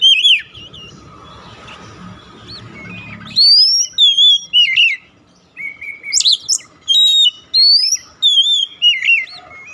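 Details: Oriental magpie-robin song played to prompt a silent bird to sing: after a murky noisy start, loud sweet whistles, rising slurs and quick high chips follow in irregular bursts.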